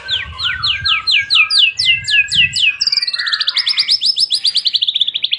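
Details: White-rumped shama song played to stir other birds into singing: a series of clear downslurred whistles, then a rapid trill of repeated high notes about four per second.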